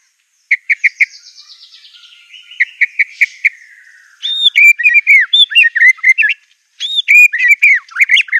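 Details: White-rumped shama singing fiercely, with imitations of canary, cililin, cungkok and lovebird: spaced sharp triple chips around a soft buzzy trill, then a dense, loud stream of looping whistled notes, a short pause, and more whistling.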